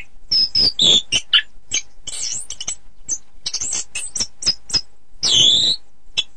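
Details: Orange-headed thrush song for contest training: scattered sharp chips and squeaky whistles, some rough scratchy notes, and a loud sweeping warbled phrase near the end, over a faint background hiss.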